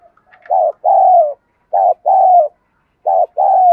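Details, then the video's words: Spotted dove used as a decoy, calling to lure wild doves in the 'đồng gù đấu thúc' style. Three paired coos, each a short clipped note followed by a longer, gently falling note, in a quiet setting. "Cu gáy mồi ĐỒNG GÙ ĐẤU THÚC GỌI bổi nhanh nổi"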